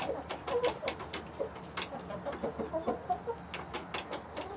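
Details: Mixed flock of hens with a Rhode Island Red rooster, murmuring low clucks scattered among sharp pecking and scratching clicks, with a few brief higher notes in a quiet outdoor setting.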